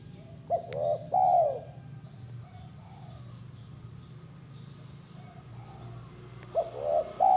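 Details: Zebra dove song: a short stuttering phrase of soft, mellow coos near the start, then a long quiet stretch over low background hum, and the phrase returning at the end.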